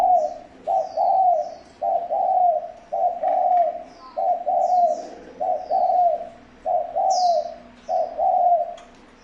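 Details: Spotted dove decoy recording for luring wild doves: a steady run of loud, soft-edged double coos, about eight phrases in nine seconds. Thin high chirps from small birds are scattered above.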